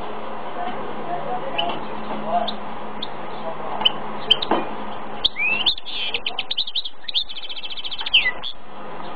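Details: Male goldfinch-canary mule singing: after scattered soft chirps over a low steady hum and murmur, it bursts into rapid twittering phrases with rising sweeps and a fast, evenly repeated metallic trill near the end.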